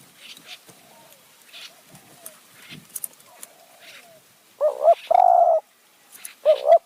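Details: Spotted dove cooing during decoy luring of wild doves in high mountain forest, Kanchanaburi, Thailand; after faint background chirps, loud mellow coos arrive as a short doubled note, a long drawn coo, then another short doubled note.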